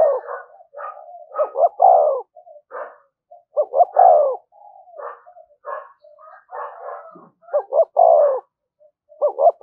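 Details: Spotted dove cooing in the "thúc gù" manner used as a lure: a steady series of hollow low phrases, each with short lead-in notes swelling into a longer downward-sliding coo, separated by quiet gaps and faint trailing notes.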